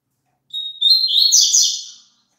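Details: A double-collared seedeater's song for a caged bird to sing along to: a brief whistle, then a lively run of high, buzzy, chattering notes fading out after about a second and a half, with no background noise.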